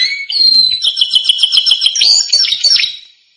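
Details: Canary training song: a whistled note leading into a rapid pulsing trill, then a quick warbled flourish that fades out.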